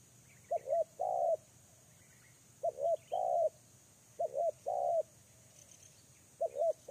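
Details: Lure spotted dove calling in irregular bursts, each phrase a wavering double-humped note followed by a strong level coo, with soft high twitters from other birds in between.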